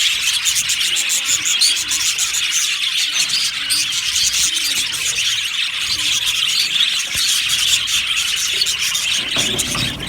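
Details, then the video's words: Budgerigars in an aviary flock, described as happy, chirping together: a dense, continuous wash of high chattering chirps and squeaks with no pauses, many birds calling at once. "Happy Budgies chirping sounds | Budgies sounds"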